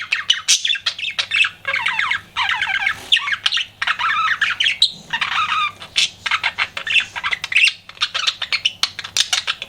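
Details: Pet budgie chattering while flirting: rapid buzzy, scratchy warbles in continuous bursts, mixed with high clicks and squeaks, barely pausing over nearly ten seconds.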